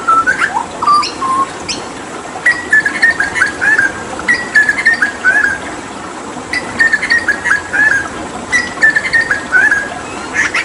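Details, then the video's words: Hooded butcherbird from Papua, a mimic used as a tutor for other songbirds, singing in repeated phrases of quick clear whistles, stepping and sliding, with brief pauses between phrases. "Masteran Tembakan JAGAL PAPUA gacor"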